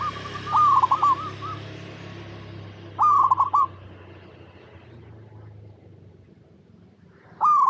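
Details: Actively singing local perkutut, or zebra dove, used to draw replies from other doves: three rolling, stuttered coo phrases at the start, near three seconds and at the very end, with quiet gaps between.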